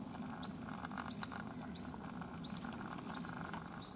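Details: Calling non-stop while separated from its mother, a baby white-breasted waterhen at a house in Rajasthan, India, gives sharp, high, down-slurred peeps about every two-thirds of a second, with a low steady hum behind.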